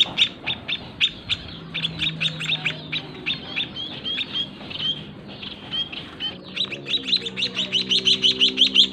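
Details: White-headed munia chicks fed by their parents in a small breeding cage give scattered high chirps that become a dense, loud, rapid run in the final seconds, with a low hum underneath.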